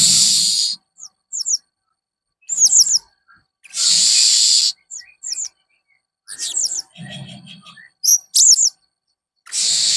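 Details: Blue-crowned hanging parrot producing strange, fierce calls: scattered high, thin squeaks and short twitters between loud broad rustling or hissing bursts that recur every few seconds.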